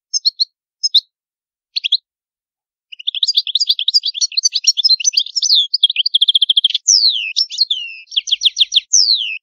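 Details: Old-style Palermo song of a European goldfinch from Sicily, recorded clean. Scattered chirps lead into sustained fast twittering, a buzzy level trill, long sweeping slurs and rapid repeated trilled notes.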